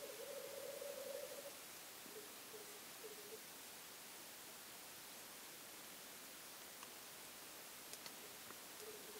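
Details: Black grouse watched from a hide over a weekend. A low bubbling warble sounds for about a second and a half, then fades to faint murmurs with occasional soft clicks against steady background hiss.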